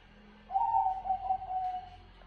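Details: Bangkok-type zebra dove (perkutut) singing: one drawn-out, smooth cooing tone held for about a second and a half, slightly wavering and falling gently at the end, over faint low background hum.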